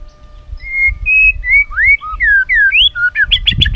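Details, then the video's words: White-rumped shama singing a sweet "isian" phrase used as a lure for other shamas: a chain of clear, slurred whistles rising and falling one after another, ending in fast loud repeated notes. "isan muray bagus,cocok buat pancingan gacoran muray batu isiann mewahh"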